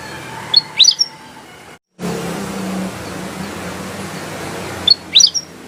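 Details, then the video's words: Black-headed bulbul in full voice: a burst of bright, upward-sweeping chirped notes, a brief silent break, then low rumbling background before another similar chirp cluster near the end. "Suara burung kutilang emas gacor"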